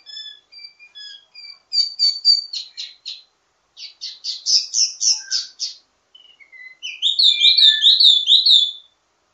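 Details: Varied ledekan song of a wambi mini, kept as a master bird to teach others: sparse thin whistles, then rapid bursts of sharp high chirps, ending in a loud rolling trill of repeated notes.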